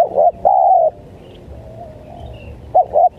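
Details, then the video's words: Spotted dove call used to lure wild doves, 'menekan' style: a short note and a long even coo, a quiet pause, then two clipped arched notes beginning the next phrase. "Pikat Tekukur,Menekan, Tekukur Liar"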